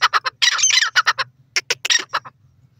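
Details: Grey francolin, called dakhni teetar, giving loud harsh squawking notes in quick bursts: short separate calls, then a dense grating run and a second cluster of clipped squawks, over a faint low hum.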